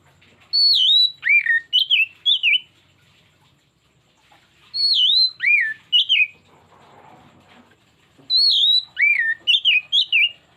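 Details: Oriental magpie-robin singing a pancingan lure phrase, meant to set other magpie-robins off on their whole repertoire: the same whistled phrase three times, each with four or five sliding notes, separated by short pauses.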